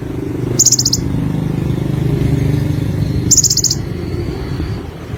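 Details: Olive-backed sunbird (konin) giving two short, very high buzzy trills about three seconds apart, with a faint thin whistle after the second, largely masked by loud low rumbling engine-like noise.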